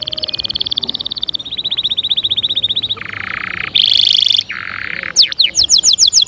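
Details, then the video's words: Canary in full song: a sequence of rapid rolled trills, each tour of repeated notes at a steady pitch, with a buzzy low roll, a bright ringing trill, then a fast rising-note series at the end. "أقوى💪 تحفيز لطيور الكناري📣 أأأستحالة يصمت معها نار نار👉cinary_singing2020"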